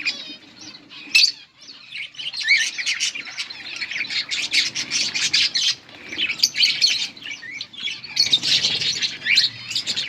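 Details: Budgies chirping while feeding chicks in a breeding setup: a sharp note, a brief lull, then sustained harsh chattering and warbled squawks almost without pause, over a faint low hum.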